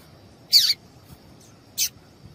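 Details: A female double-collared seedeater gives a call meant to make the male sing: two short, high, slightly descending chip notes about a second apart against a quiet background.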